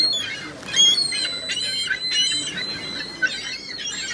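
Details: Seagulls calling in a crowd, a mix of sharp squawks and thin, drawn-out whistled mewing notes, several birds overlapping, with soft low background noise.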